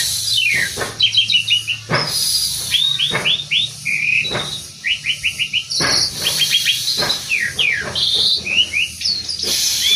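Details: Asian pied starling in Indonesia delivering a rich, busy song: runs of quick repeated chirps, falling whistled slurs and loud scratchy bursts, near-continuous over ten seconds with brief pauses.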